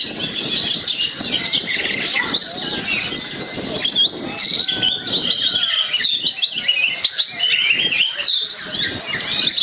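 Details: Song of an orange-headed thrush played as a lure to set other thrushes singing: busy, overlapping whistles and quick trills, some drawn-out slurred notes, a steady unbroken torrent of high song.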